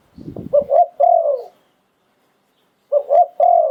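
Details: Thai decoy Spotted dove, 'sai phon liu tan' song style: a brief rustle, then a phrase of two short coos and a long falling coo, silence, and the phrase begins again.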